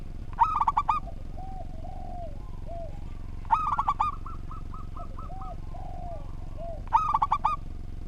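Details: Zebra dove of a local strain in full, structured song, kept as a tutor recording: a rolling phrase of five or six rapid coos returns about every three seconds, with softer, lower cooing from other doves in between.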